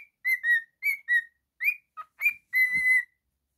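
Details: A whistling male pet cockatiel gives a few short slurred whistles, then a long sustained note at the end, with one faint low thump.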